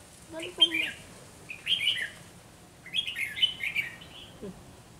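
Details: Red-whiskered bulbul acting as a trapping decoy against strong rivals: three lively warbled phrases, bubbly and slurred, the last longest and trailing off, with a faint low voice-like sound at the start.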